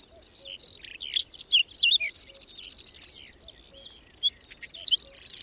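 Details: Whinchat (Saxicola rubetra) in song amid a May blizzard at the edge of Domzheritsy village, Berezinsky Biosphere Reserve; a burst of rapid scratchy and whistled notes, a quiet gap, then a short high phrase near the end.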